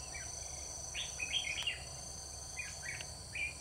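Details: Red-whiskered bulbul decoy singing to draw wild birds into a trap, 21 October 2019: short bursts of clear, bubbly, whistled notes in two or three groups, over a continuous high insect drone.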